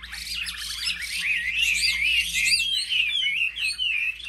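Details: Caged Chinese hwamei, selected market birds in Vietnam, in competitive duel singing: a dense, overlapping torrent of bright whistled notes swooping up and down, with several rapid phrases crowding together and a faint low hum beneath.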